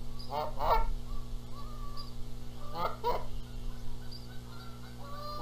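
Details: Canada geese at a Montana nest in Charlo on April 14, 2022, quarrelling over the eggs; two paired honks, with faint thin whistled notes from other birds between them and a low hum.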